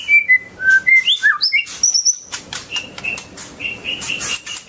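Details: A dancing white-rumped shama sings a quick run of clear, varied whistled notes jumping between pitches, then softer repeated whistles against a background of clicks.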